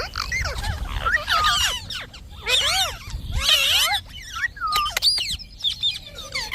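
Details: Pet Indian ringneck parakeet talking: bursts of raspy, harmonic, wavering syllables in quick clusters, with a few clear rising and falling whistled notes between them, over a low background rumble.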